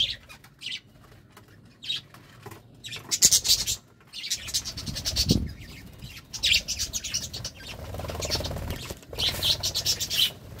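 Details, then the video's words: Budgerigars during courtship, giving bursts of high, scratchy chirps and warbles in short clusters separated by pauses, with a few low thumps and rustles in between. "Love time for budgies"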